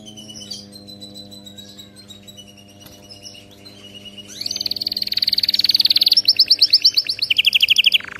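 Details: Canary song for training: soft, scattered faint notes at first, then a loud, fast, sustained trill of rapid repeated notes that shifts to a slightly lower, rolling trill near the end.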